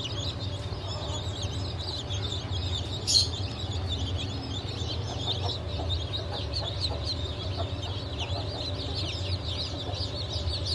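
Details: Chicks just hatched on 28 June 2023, Legbar, Silver Wyandotte, Sussex and GSG Wyandotte breeds; softer high peeps scattered across the clip, one brief louder squeak near the middle, with a steady low hum beneath.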